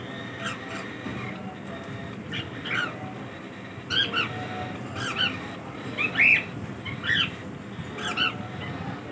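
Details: Cockatiels during their daily routine giving short harsh squawking calls, some rising then falling, about one per second in loose irregular bursts over a steady low background hum.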